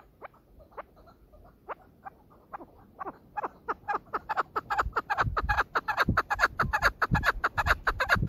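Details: Female chukar giving a call series that starts as spaced, sharp upward notes and speeds into a dense, loud, rapid chattering run, with low rumble underneath.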